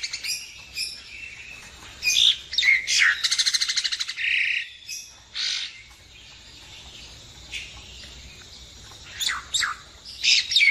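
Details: Asian pied starling chatter of sharp whistles, rasping buzzes and a quick mechanical rattle in uneven bursts over a faint hiss; a recording offered as a lure call for bird trapping.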